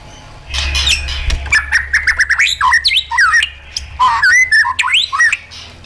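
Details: Caged white-rumped shama being trained with wild-style song: quick varied whistles, slurred loops and chattering notes, with a low steady hum underneath for several seconds.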